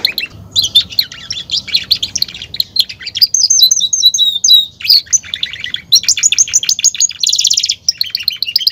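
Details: Male canary singing, song described as expressing excitement to court the female and asserting dominance over its place among other males; bright high trills, rapid chirps and sweeping whistled notes in quick varied phrases, a buzzy rolling trill near the end.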